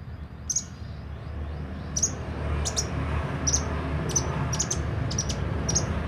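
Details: Sunbird, called kolibri ninja, singing openly: sparse, very high, short piercing chips, singly or in quick pairs, spaced about a second apart over faint low background noise.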